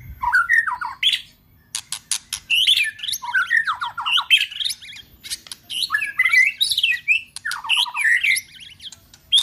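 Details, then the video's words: Energetic White-rumped shama song mixing loud rasping clicks with fast slurred whistles, phrases tumbling over one another with short pauses, a track for firing up weak or young birds. "Chòe lửa hót.chòe tạch GẮT.dùng Kích Chòe Lửa yếu lửa,kích bổi nhanh lên lửa,chòe lửa đập đuôi"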